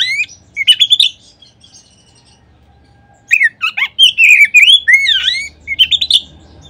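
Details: Oriental magpie-robin, called kacer, singing as a lure to make other magpie-robins sing. A short high burst opens, then two seconds of quiet, then a rich flow of looping whistles, rapid chips and sliding notes.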